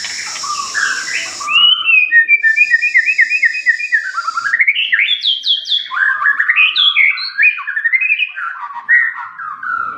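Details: White-rumped shama singing a long, fast, tumbling song of rising and falling whistled notes, about four per second, mixed with steady, bright, high hissing tones early on.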